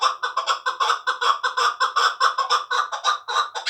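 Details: Two-year-old hunting chukar partridge reared from a chick, Tojikobod district, delivering a rapid, even chain of about sixteen loud clucking notes with a rich harmonic ring.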